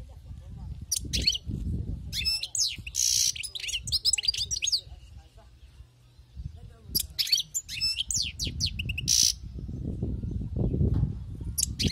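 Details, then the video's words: Wild-caught European goldfinch singing in rapid twittering, buzzy phrases with harsh rasping notes, broken by pauses, against steady low rumbling noise that swells toward the end. "أسمع وركز على المقنين الخلوي كيف يغرد"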